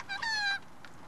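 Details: A talkative wild Australian magpie (possibly a pied currawong) in a shopping centre parking lot, "chatting" with a person, gives one drawn-out, whiny, slightly falling half-second note, then a faint short squeak.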